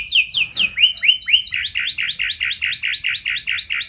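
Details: Domestic canary singing a lure song in the luxurious, long-bursting cengkok style, used to prompt other canaries to sing: a few falling slurred whistles, then rising-and-falling syllables repeated about five times a second.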